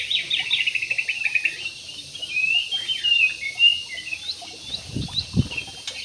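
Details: Jumbo parakeets kept in an aviary, calling in a busy flock: dense strings of short, bright chirps and warbled twitters run almost without pause, with a few sharper upward-flicking notes near the end.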